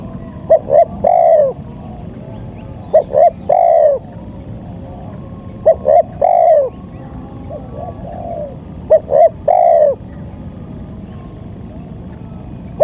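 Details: Spotted dove lure calling used to draw wild doves; four phrases of two short clipped notes followed by a long, slightly falling coo, repeated roughly every three seconds over a steady low rumble of background noise.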